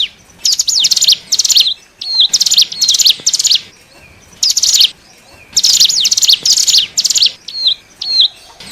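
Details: Used to pull in wild hill prinias, known in Java as ciblek gunung: repeated bursts of shrill, fast chirps alternating with short clipped whistles, spaced across the recording with brief quiet gaps.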